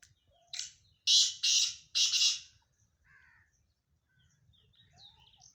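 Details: Black francolin (kala teetar) calling: four loud, harsh, rasping notes in quick succession, the last drawn out, followed by faint high chirps from other birds and a quiet background.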